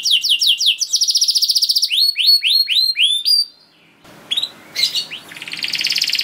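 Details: Canary singing a long 'gacor' song, used as a lure for caged canaries. Rapid slurred notes run into an even trill, then a series of upswept whistles, a pause, and scattered chips with a buzzy trill.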